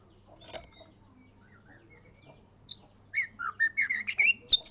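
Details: Medan white-rumped shama, a caged bird raised from a fledgling, in full 'isian' song: near-silence with a few faint notes, then a sudden rapid run of bright whistled notes climbing to high sharp peaks.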